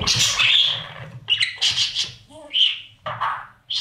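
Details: Budgerigar babies in a nest box being fed by parents. A loud hoarse squawk opens, followed by short raspy bursts separated by brief pauses and one soft nasal note.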